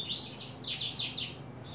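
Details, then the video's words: Coleiro starting to sing, July 2024: loud, bright phrase of rapid slurred notes, each sweeping downward, repeated about six times in under a second and a half. "coleiro abrindo canto"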